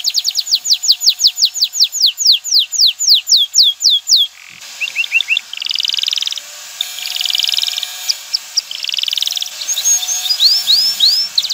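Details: Male canary song to prompt a female to mate and nest: a steady series of falling whistled notes, then a hissy background with short buzzy trills and scattered swooping notes.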